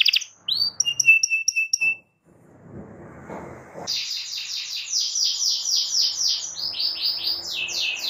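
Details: Domestic canary song intended to teach young canaries singing. Varied chirps and short whistled notes open, then a noisy gap, then rapid repeated slurred trills over steady background hiss.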